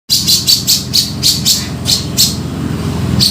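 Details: Grey-cheeked bulbul lure call used for trapping: sharp, bright chip notes repeated about three times a second in an uneven series, over a steady low engine-like hum.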